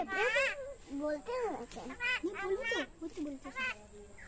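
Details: Talking common myna, said to be 6 months or 9 years old, giving quick voice-like phrases of bent harmonic syllables in a fast run, with a constant thin high tone behind.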